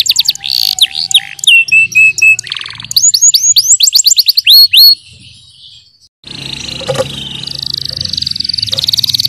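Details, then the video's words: Yellow canary training song: fast repeated whistled sweeps and a flat tour of level notes, then a quick series of looping whistles; after five seconds the song stops, with a brief quiet gap and then steady hissing noise. "The best CANARY Singing- Training song for yellow canary"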